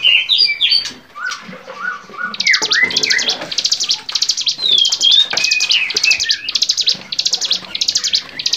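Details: Varied bar-winged prinia song made as a songbird training recording, opening with whistled slurs and chirps, then a long run of dense buzzy high trill bursts repeated about three times per second, mixed with sharp chips.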